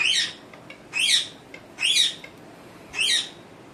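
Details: Pet parrot in a room uttering four raspy, high screeches, each under half a second, spaced roughly one second apart with quiet background between them.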